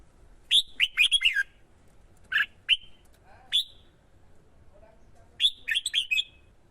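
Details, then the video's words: Male red-whiskered bulbul excited by a female, singing hard to draw in wild birds: a rich rolling phrase of slurred whistles, then a few isolated chirps, and another full warbled phrase at the end. "CHIM CHÀO MÀO KÍCH CHIM HÓT MỞ MỎ CĂNG LỬA HÓT ĐẤU"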